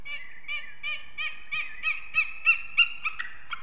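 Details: Unringed adult pair of eagles at their Ķemeri nest in Latvia, early morning of 8 March 2024, filmed during arrival and mating; repeated ringing yelps about three per second, growing louder and more excited toward the end.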